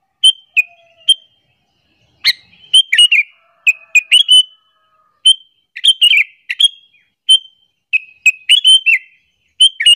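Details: Lure call of a sooty-headed bulbul meant to anger other bulbuls: a busy string of quick chirps and short downward-sliding whistled notes, some single, some in clusters of three or four, nearly continuous.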